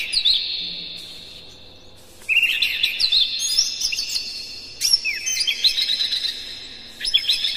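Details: Oriental magpie-robin, kept captive, giving its morning song to rouse other birds: a short phrase, a two-second pause, then long tumbling runs of bright twittering whistles, over a faint continuous high hum.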